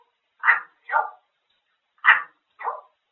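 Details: A grey parrot talks in Korean in short, husky, voice-like syllables, two pairs of quick bursts about a second and a half apart, in a quiet room.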